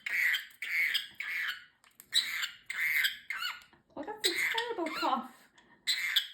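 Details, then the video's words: Pet talking parrotlet chatters in tiny, raspy, high-pitched speech, with phrases like "peekaboo", "danger, danger", "excuse me", "who's a pretty boy" and a fake cough, in quick bursts about every second or two. "Talking parrotlet Ozzie, saying a few of his phrases. Peekaboo, fake cough, excuse me etc."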